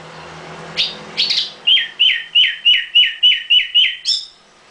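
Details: Nightingale in a cage: two sharp introductory notes, then a steady string of about eight identical slurred chirps, roughly four a second, ending on a high flourish.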